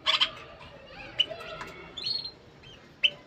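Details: Caged bulbul singing to stimulate the female to mate: sharp whistled chirps near the start, then scattered short clear notes and a slurred warble, with rustling in the cage between phrases.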